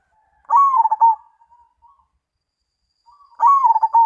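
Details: Zebra dove, the perkutut of Indonesian song contests, Mojopahit style: two loud stuttering coo phrases three seconds apart, each trailing into soft short notes, on a silent background.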